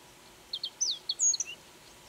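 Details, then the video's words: Japanese reed bunting (ochre-rumped bunting) singing in Aomori while swaying in strong wind: a quick phrase of high, sharp chirps and short slurred notes over about a second, against a steady low rush of wind. "コジュリン さえずり 強風のなか揺れまくるがそれでもさえずり"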